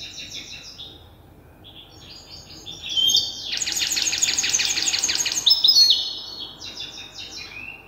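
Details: Young European goldfinch hybrid still memorising its song, tutored by an older hybrid: soft high twitters build into a loud, dense trilled burst near the middle, then scattered bright notes and a closing phrase.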